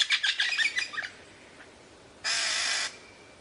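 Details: Lyrebird song with variations: a rapid chattering jumble of scratchy notes for about a second, a pause, then a loud, flat, hissing rush of noise lasting over half a second.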